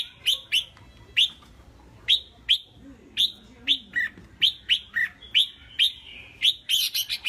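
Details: Red-whiskered bulbul kept as a caged songbird and called a strong competition prospect: a steady run of crisp high chirps about every half second, ending in a dense flurry, with faint low murmurs midway.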